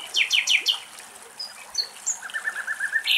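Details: Common Nightingale song from the wetlands of the Axios Delta National Park, Greece, recorded by the filmmaker: a quick run of four sharp descending chirps, a few scattered high whistled notes, then a steady series of rapid repeated notes.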